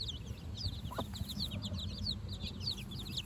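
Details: Baby chicks, four days old, on fresh grass with their mother for the first time: many rapid high peeps rising and falling in a continuous flock chatter, one brief lower call near the start, and low background rumble.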